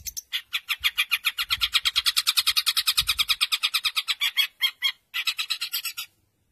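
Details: Caged Long-tailed shrike from hobbyists' 2020 contest song material, known for copying other birds' songs: a long, fast, raspy rattle of harsh notes lasting about five seconds, then a short final burst.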